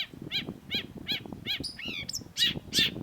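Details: Long-tailed shrike (cendet) master song for cage-bird training: evenly spaced arched chirps about every third of a second, then a slurred descending trill and harsher squeaky notes over low background noise.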